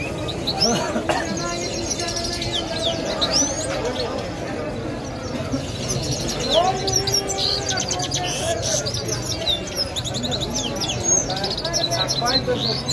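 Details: European goldfinches twitter in fast, tinkling, high chirps and liquid trills that run on without pause in Kabul, Afghanistan, over a murmur of voices and background noise.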